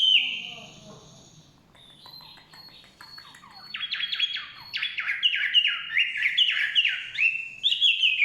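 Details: Wild forest Chinese hwamei: quiet scattered notes at first, then an energetic sequence of rapidly repeated, downward-sweeping whistles, each phrase bright and ringing.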